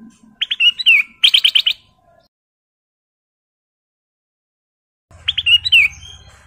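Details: Ruby-throated bulbul (kutilang emas) male in breeding condition calling a female: a slurred whistled note leading into a rapid string of sharp chips, a pause, then the slurred opening again over low background hum.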